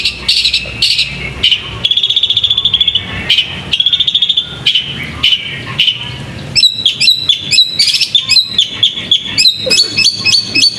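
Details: A contest-trained bird kept in a cage chirps steadily, then breaks into quick, sharply repeated whistled notes that rise and fall, with faint low noise beneath.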